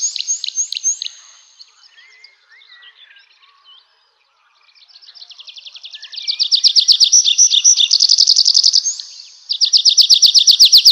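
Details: Nightingale singing: a few high slurred notes, then quieter scattered twitters, then long loud rapid trills of repeated sharp notes, about four per second, with a brief pause before another fast burst.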